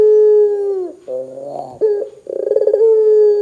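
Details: Barbary dove in strong voice, calling so other doves join in. A held coo falls away, then lower wavering notes, then a rapid rolling trill that runs into a steady coo.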